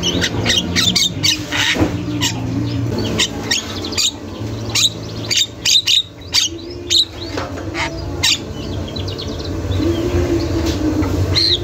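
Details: Javan myna singing without pause on a master training recording: dense, loud harsh notes fired in quick succession, a few short whistled slurs in between, with a brief faint gap midway and a constant low droning hum throughout.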